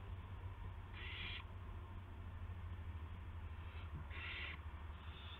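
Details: Owl on the evening of March 18, 2016, around 8 PM, as a gopher is delivered to its mate: two harsh, noisy hissing bursts about half a second long, the second louder, over a constant low electrical hum.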